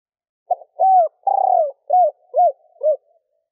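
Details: Female spotted dove calling to stimulate males with a stuttering coo of the three-ending type. A single phrase: a brief note, a smooth rounded coo, a long vibrating coo falling in pitch, then three short arched hoots.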